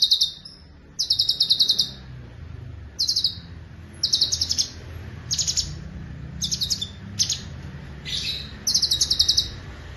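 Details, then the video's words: Cucak cungkok singing in its fast rolling style, kept as a tutor voice for other songbirds: many short bursts of quick, high-pitched, stuttering trills in uneven succession, with steady low rumbling noise underneath. "Irama LaguNYA Jelas , Roll speed, Tembakan Rapat"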